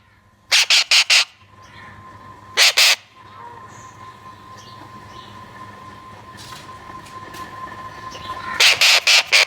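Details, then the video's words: Baby Alexandrine parakeet giving harsh, buzzy squawks in quick bursts: four rapid calls, a pair a little later, then another run of four or five, over a steady electrical hum. "Alexander Parrot Baby Sound"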